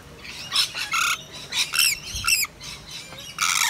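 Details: Rainbow lorikeets, wild native parrots of eastern Australia, visiting a balcony in wet weather: a run of harsh screeches and chattering squawks of mixed length, some with quick buzzy rising notes, closely spaced.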